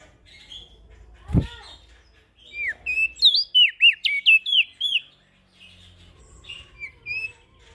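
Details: Ashy prinia calling as a lure for small birds, a burst of rapid high chirps and down-slurred whistles in the middle, with softer scattered notes before and after.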